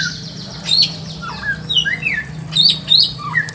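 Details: Pekin robin in a simple aviary with scattered whistled notes, sweeping downward slurs and thin high upslurs, several seconds of sparse singing against a steady low hum.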